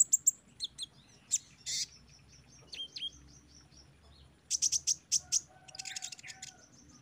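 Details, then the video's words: Caged-bird therapy song of an olive-backed sunbird: scattered high chips and a few downslurred whistles, a pause, then a quick run of piercing very high notes with a faint buzzy trill behind. "TERAPI KONIN BAHAN OMBYOKAN JADI CEPAT GACOR DENGAR KOLIBRI BONGKAR MATERI PASTI NYAUT SEMUA"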